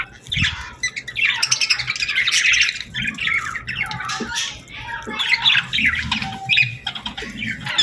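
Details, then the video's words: Birds chirping at sunset on a summer evening: dense overlapping high chirps and squawky notes, loudest around the middle, with a low rumble beneath and several birds calling together throughout. "Evening Birds Chirping Sounds Effect | Summer Birds Singing at Sunset"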